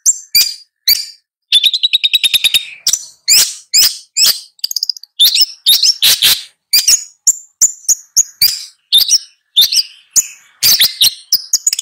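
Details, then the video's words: Long-tailed shrike singing a varied medley of harsh, scratchy bursts broken by a quick dry trill early on, then higher thin whistled notes toward the end; no other sounds. "Long-tailed Shrike Bird Song, Sound, Call, Chirp, Melody"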